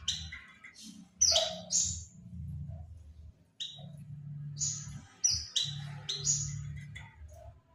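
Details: Oriental white-eye calls played as a lure to draw in birds: scattered sharp, high falling chirps in short runs, over a steady low hum in the background.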